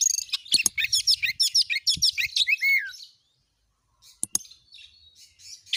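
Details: Oriental magpie-robin in gacor nembak style, a lure to stir other magpie-robins into song: a fast tumbling run of sharp chirps and whistles ending in a downslurred note, then near silence with faint notes.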